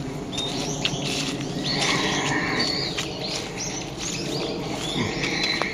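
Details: Usual call of a brown-eared bulbul on a November morning, 26 November: several drawn-out, squealing whistles, some bending up then down, scattered through the stretch against constant noise.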